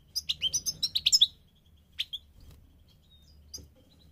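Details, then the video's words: Migrating goldfinch delivering a quick string of about ten bright chirps that climb and dip, then a lone double note and a faint final call. Soft low hum behind. "The singing of the migrating goldfinch"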